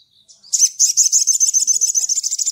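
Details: Sunda bush warbler (sogon) calling to a rival in ngleper style: after a brief soft note, a long rapid high trill of pulsing, buzzy notes, steady and unbroken.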